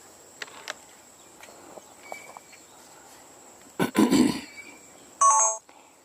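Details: On a tour on 3 September 2022, one loud, harsh, nasal call near the end, thought to be a Blue Jay, follows a dull thump, over a thin steady high insect-like hum and faint ticks.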